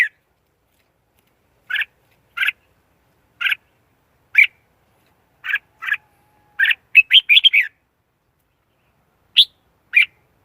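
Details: Red-whiskered bulbul lure song for trapping wild birds, noise-free: spaced paired chirps repeated roughly every second or two, then a fast burst of bright warbling phrases and two final notes.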